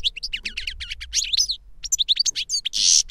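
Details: Trained goldfinch, master or its young pupil taught from recorded song, pouring out a dense stream of twittering and whistled notes, ending in a loud rasping buzz.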